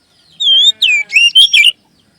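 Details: A magpie robin sings a short phrase used to coax other magpie robins into song: a long steady whistle, then a falling slur and quick twisting notes, all within about one and a half seconds.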